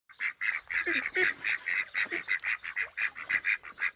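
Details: Ducks with ducklings at a pond in Wales in late May, giving a rapid, evenly spaced series of short nasal calls, about eight a second, with a few lower notes mixed in.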